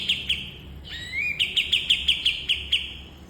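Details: Bulbul used to train cage birds: a pair of sharp chirps, a smooth upward-gliding whistle, then a steady run of bright ticking notes repeated several times a second.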